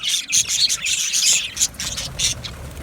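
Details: Aviary budgerigars producing loud, rapid high chirps and piercing short whistles in a crowded, overlapping chorus.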